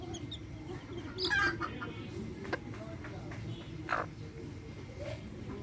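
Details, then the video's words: Backyard hens with chicks: a few loud, broad hen clucks around the middle and near the end, with faint chick peeps and constant low background rumble. "Adorable backyard hens with chicks making adorable sounds!"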